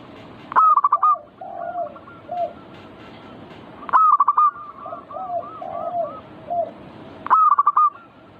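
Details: Perkutut, or zebra dove, with manggung singing to spark song in other birds: loud stuttering coo phrases repeated about every three and a half seconds, while quieter, deeper gliding coos from further doves fill the pauses.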